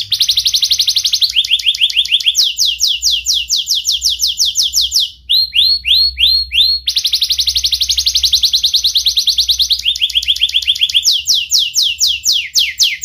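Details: Young canary in sharp, continuous song, used as a lure to teach young canaries and rouse lazy ones. It moves through changing series: fast trills, descending sweeps, a handful of rising whistles, then more rapid rolls and sweeps.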